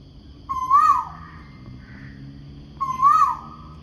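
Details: Noisy bird calling in the morning, a two-part "ku oo" phrase: a wavering mid-pitched note with rich overtones, heard twice about two seconds apart over a faint low hum.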